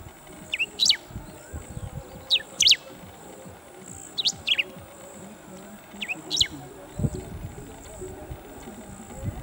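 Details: Bristled grassbird calling from an open perch: short, high, sweeping two-part notes about every two seconds, over a steady insect hiss and low rumbling background noise.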